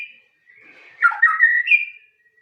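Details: Single white-rumped shama phrase: a soft thin whistle leading into a louder, warbled, slurred whistle that rises at the end.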